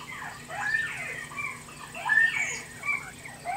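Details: Captive quails in a cage answer a played-back recording, giving bright chirping notes that sweep up and down, several overlapping in quick irregular bursts.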